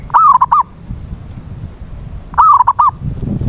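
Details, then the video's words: Zebra dove call used as a lure for a silent bird: two phrases roughly two and a quarter seconds apart, each a wavering rolling coo with two staccato tail notes, low rumbling noise near the end. "PANCINGAN SUARA PERKUTUT BISU"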